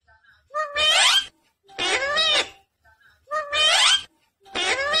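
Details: Pet rose-ringed parakeet talking, said to say "mummy papa": four loud, harsh, harmonic speech-like phrases, each about half a second long, spoken in two pairs with brief silences between them, in a quiet room.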